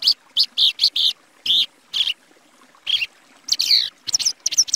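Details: Song of the Plumbeous Seedeater, called patativa in Brazil: loud, high chirped and whistled notes delivered in quick bursts, with short gaps, ending in a rapid sequence of varied slurred notes.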